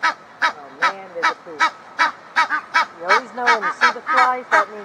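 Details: One of a backyard pair of Egyptian geese, possibly calling to each other: harsh honking calls in quick bursts, about three a second, with rising and falling hoarse notes overlapping as if two birds call.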